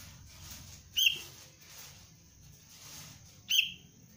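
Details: Sooty-headed bulbul youngster in cengkram lure training calls twice with crisp, high clicking chirps about two and a half seconds apart, against a slightly noisy, hissy background and low hum.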